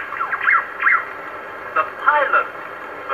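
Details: A wild Superb Lyrebird in Sherbrooke Forest, Victoria, Australia, sings its own call in short bursts of rich, fast-warbling whistles, several phrases within three seconds, over a steady background hiss, in an early historic bush recording.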